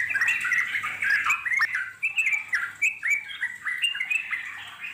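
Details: Long ngeropel-style song of a wild Yellow-vented Bulbul: dense, squawky chattering phrases tumbling up and down in pitch almost without pause, plus a faint low hum underneath.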